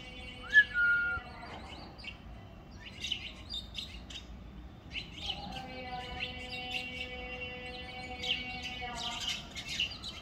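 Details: House sparrows in the morning, sheltered and fed with grain and water inside a home, chirping: busy clusters of short, bright chirps from several birds, with an opening whistled note and a steady tonal hum underneath.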